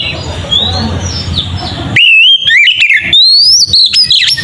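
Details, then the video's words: Oriental magpie-robin singing in the fast 'ngeplong' style, used as a lure to provoke rival magpie-robins: after two seconds of muffled background with faint whistles, loud, clear, rapid whistled phrases sweep up and down, with sharp chirps between them. "Suara burung Kacer ngeplong ini sangat ampuh untuk pancingan kacer"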